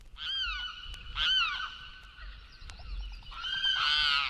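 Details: Limpkin giving loud, wailing, rasping cries in three bursts, each with harsh falling notes and strong harmonics; no other sounds stand out.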